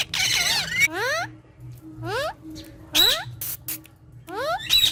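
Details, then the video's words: Green talking parrots together: an opening harsh squawk, then repeated upward-sweeping harmonic calls about once a second, each ending in a bright high note. "Funny Green Talking Parrot Speaking And Fun With Each Other"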